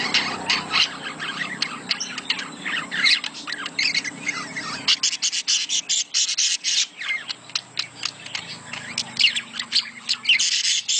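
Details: Several budgerigars warbling and chirping in mating chatter meant to stimulate breeding: fast, scratchy, continuous twittering with dense bursts, over a faint low hum.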